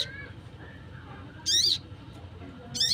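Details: Wild crimson sunbird call of the kind used to lure birds: two bright, piercing high chirps sweeping down in pitch, about a second apart, with faint low background hum between them.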